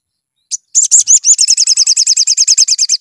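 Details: Sunbird song played as a lure to make birds sing: after a brief chirp, a long fast trill of high, buzzy, rising-falling notes repeated about three times a second, steady and loud throughout.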